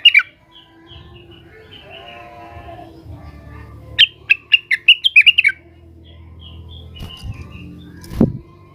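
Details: Blue-winged leafbird calling out agitatedly to rivals: an opening chirp burst, soft twittering, then a quick volley of about eight bright clipped notes, with a dull knock near the end.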